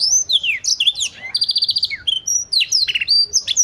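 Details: Canary in full song, recorded as tutor material for other songbirds. Swooping descending whistles lead into a fast, even trill of pulsed notes, then more sweeping whistles and a short buzzy burst.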